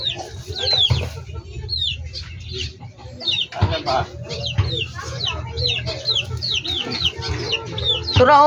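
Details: Backyard poultry chickens calling continuously: thin, high peeps that curve downward, several birds overlapping in quick succession, with a few lower murmurs and a constant low droning hum beneath.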